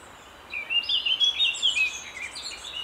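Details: Lesser spotted woodpecker at its nest hole while young are being fed, at least two young present, 20 May 2017; thin, high, wavering chittering notes run almost continuously after a quiet half-second start, rising and falling in short overlapping bursts.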